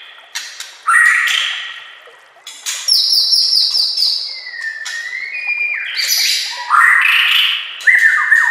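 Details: White-rumped shama song used as a master recording for training caged birds. Loud whistled phrases alternate with short pauses: clear sustained high notes, a long slurred glide, rapid stacked chips and ringing rising whistles.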